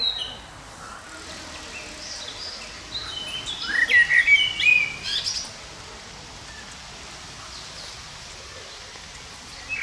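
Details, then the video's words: Common blackbird in song, giving one clear phrase of rich, slurred whistles that rise and fall over about two seconds mid-clip, with softer high notes around it and otherwise quiet surroundings. "kilka minut .... ze Śpiewającym Kosem - e few minutes .... with Singing Blackbird"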